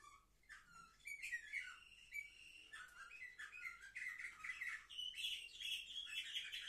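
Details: Seven-month-old canaries singing on 10 November 2023: continuous, varied warbling with quick chirps, rolled trills and slurred whistles, rising toward the end into a high, buzzy sustained trill.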